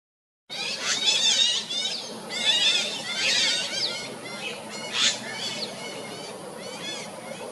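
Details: Sunda pygmy woodpecker giving rapid, squeaky, chattering bursts of high notes over several seconds, loudest early on and tapering off, with soft background hiss.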